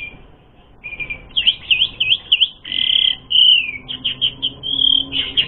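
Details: Asian pied starling singing a rich, varied song used as a lure to provoke fighting; clear whistled notes rising and falling, quick chirps and a drawn-out fluting phrase in bright continuous sequence.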